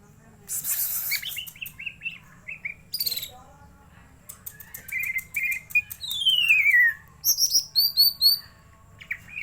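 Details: Greater green leafbird, kept to be stirred up, giving varied whistled and chattering phrases: short bursts near the start, a long falling slurred whistle, then paired sharp notes, with wing flutters and faint background noise.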